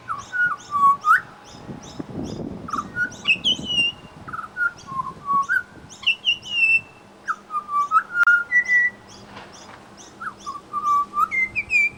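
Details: Pied butcherbird at a bird sanctuary mimicking other birds: a busy run of clear whistled notes, some slurred up or down, some sharp high chips, mixed with short pure tones at varied pitches, with low background hum.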